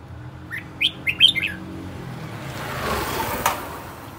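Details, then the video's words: Aggressive caged decoy red-whiskered bulbul, agitated, delivering a quick burst of five or six loud, bright whistled notes, then quieter hiss and background noise. "Chào mào mồi hót cực hay, hung hăng quay cuồng"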